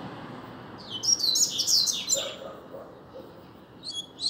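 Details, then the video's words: Double-collared seedeater song from a captive singing contest: one quick, high twittering phrase rising and falling, then a brief second snatch near the end, over a steady broad background hiss. "Coleiro Disputa de Canto SOLTO vs BRADDOCK!!! - Coleiro Professor Aprendizado"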